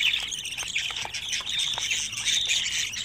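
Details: Budgerigar babies, 25 days old, give a steady stream of rasping, buzzy squawks mixed with brief sharp chirps. The calls blend into one unbroken, harsh chatter.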